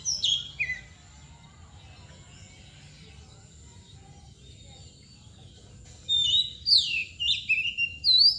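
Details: Kacer, the Oriental magpie-robin, performing 'mbagong' song with a 'nangkur' display. One bright whistled phrase opens, then about five quiet seconds pass before a run of rising and falling whistles and chirps returns near the end.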